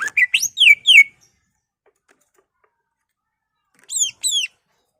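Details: Caged greater green leafbird singing a quick series of bright, sweeping, down-slurred whistles for one second, then a pause and two more loud slurred notes; meant to stir other leafbirds into singing.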